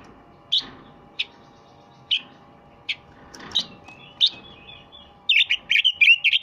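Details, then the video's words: Red-billed leiothrix giving sharp, high single notes spaced roughly every half to one second, then a faint warble and a closing burst of quick, bright chattering phrases, over a steady low background hum. "Chant rossignol du Japon"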